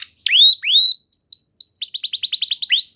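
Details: Clear canary song for luring other canaries into singing: drawn-out slurred whistles, a brief pause, then rising chirps speeding into a quick series of swept notes.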